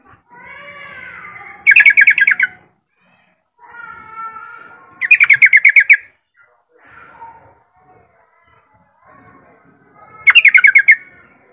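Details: Yellow-vented bulbul song used to lure other bulbuls: warbling phrases that lead into fast bursts of loud chirping notes, three rounds about four seconds apart, with softer chatter between.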